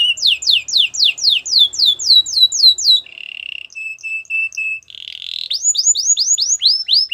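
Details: Canary singing repeated downward sweeping chirps at about three per second, then a low buzzy note, evenly spaced short flat pips, a rough burst, and quick rising upward sweeps.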